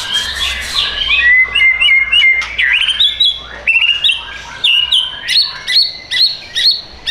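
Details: Caged white-rumped shama at a bird shop in Tangerang Selatan, Indonesia, singing a rich, varied phrase of quick whistled notes, chirps and upward slurs, delivered in bursts about every half second with brief gaps.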